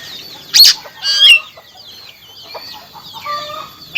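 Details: Oriental magpie-robin back in full continuous song after a remedy for a stalled singer: harsh scratchy bursts mixed with wavering whistled phrases and lower warbled notes, varied and delivered close up.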